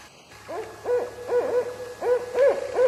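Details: An owl call, presented as the barred owl's night call with a "who cooks for you" rhythm that people can imitate: a rhythmic series of low, resonant hoots, each slightly rising then falling, in two quick bursts of about four notes.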